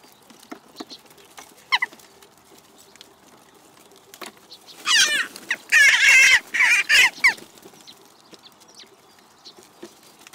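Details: Several Western jackdaws give a burst of harsh, overlapping chatter lasting about three seconds, over quiet background ticks and faint distant sounds; recorded in Recke, Germany, on 7 May 2021.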